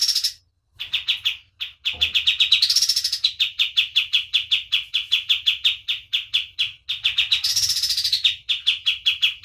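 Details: Energetic white-eye (kapas tembak) song: long runs of quick, sharp high chirps, broken twice by higher rising, buzzy trilled flourishes, with a brief pause near the start.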